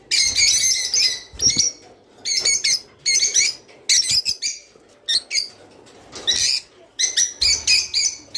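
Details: Java sparrow singing for mating stimulation: chattering clicks and ringing, slightly buzzy notes in repeated short bursts about every half second to a second.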